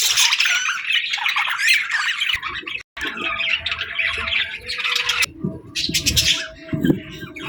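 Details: Budgies whistling and chirping in the afternoon: a dense, scratchy stream of high squawks and twitters, briefly cut off just before three seconds, then resuming with softer chatter and a few low knocks.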